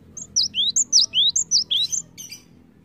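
Cinereous tit singing quick, high, clear whistled notes that alternate between sharp down-slurs and lower swooping phrases, about four per second, over a faint low hum.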